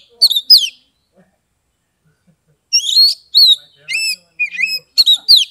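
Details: Caged Oriental magpie-robin from Kebumen, Central Java, singing to stir silent birds into song: a short burst of bright whistles, a long silence, then a run of varied rising and falling whistled notes.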